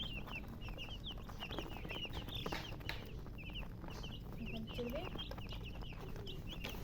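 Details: Chicks cheeping in bursts of high downslurred peeps, a brief pause mid-clip, with low background rumble and a faint muffled voice-like sound.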